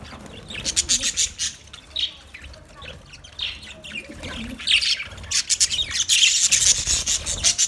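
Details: Chirping budgerigar colony: rapid, clustered twitters and harsh chatter, quieter in the middle and then building to a dense, loud chorus of many birds.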